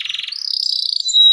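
A canary opens with a fast, buzzy rolling trill, then slides into a bright sustained whistle that rises and ends on a thin, pure high note.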